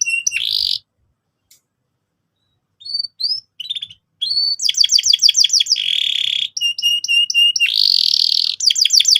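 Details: Canary singing vigorously as a lure to set young canaries rolling; a short bright phrase, a pause, then scattered rising whistles building into fast repeated trilled notes and buzzy rolls, very high-pitched and clean.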